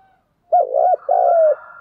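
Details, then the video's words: Spotted dove giving its fighting call: a loud, mellow coo phrase of rounded, hooting notes, two quick linked notes then a longer drawn-out one. Quiet background. "cu gáy thúc đấu & cu gáy thúc gù"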